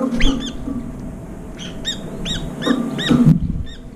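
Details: Several brown-eared bulbuls competing at a nearly emptied food bowl, squabbling and flying up; a series of shrill, downward-curving squeaky calls spaced through the stretch over low background rumble.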